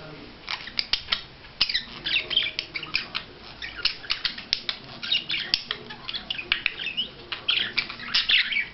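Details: Budgerigar in courtship display, keeping up busy, buzzy warbling with squeaky notes and sharp clicks, packed closely through the whole stretch.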